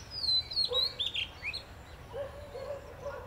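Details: Pair of Pied Mynas (Asian Pied Starling) perched in an acacia tree near their nests in Delhi during the spring breeding season, preening; high whistled notes slide downward, then a few lower, softer chirps follow amid faint background hiss.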